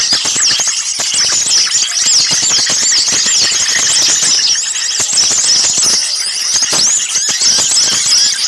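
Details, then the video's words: Chattering flock of small birds used as a trapping lure: dense, shrill arched squeaks and rapid twitters running without pause, mixed with a steady patter of hard clicking ticks. "suara pikat burung kecil ribut"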